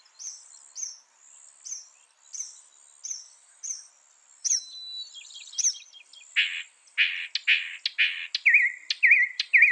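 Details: Northern mockingbird, a mimicking songbird, giving a run of soft high thin notes repeated about twice a second, then a jumble of harsh, broad scratchy notes and finally repeated downslurred whistles.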